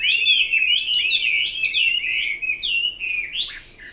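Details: Chinese hwamei in full song: a loud, continuous stream of rapid whistled trills and slurred notes, varied and rich, ending with a sharp descending whistle.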